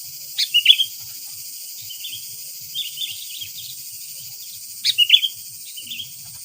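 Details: Lure sooty-headed bulbul, recorded in light drizzle, gives two loud bursts of quick chirping notes about four seconds apart, with softer chirps between them and a continuous high insect whine.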